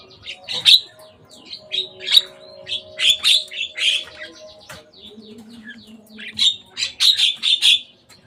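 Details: Javan myna on top of a cage chatters in rapid, scratchy chirps and squawks, with a short lull before another lively burst and a faint background hum.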